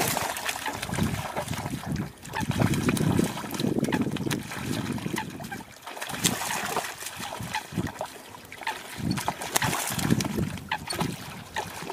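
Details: Splashing and trickling water with faint murmuring voices, and no animal calls.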